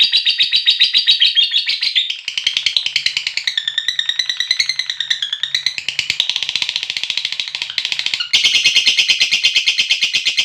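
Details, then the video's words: Lovebird giving a long ngekek trill, calling companions: dense, rapid, buzzy chattering trill held at high pitch, wavering and shifting in tone, with a louder harsher burst near the end. "Suara Burung Lovebird Ngekek Memanggil Teman, Lovebird Ngekek Panjang"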